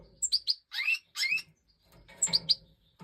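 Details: Major goldfinch (Stieglitz Major) filmed during breeding in 2024: scattered high tinkling notes alternating with two longer buzzy, rising slurred phrases, separated by short silent gaps.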